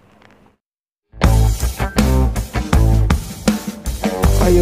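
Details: A short, faint murmur gives way after a second of silence to loud rock music, with strummed guitar and heavy drum beats, and no animal calls.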